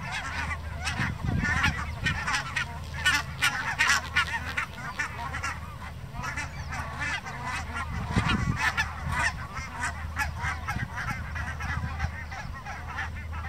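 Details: Flock of barnacle geese in the Elbmarsch, Pinneberg, in May 2024, giving a dense chorus of short, yapping honks.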